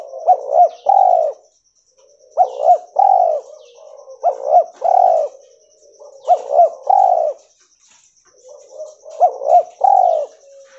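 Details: Albino white-mutant spotted dove repeating a cooing phrase about five times, each opening with two quick rising notes and ending in a fuller rolling coo, with a steady faint high tone behind.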